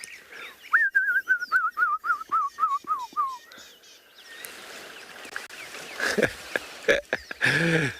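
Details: Brown-crowned Tchagra calling at sunrise on a sunny November morning after rain in Djuma Private Game Reserve: a run of about a dozen clear whistled notes sliding steadily lower over three seconds, followed by rustling and vehicle noise.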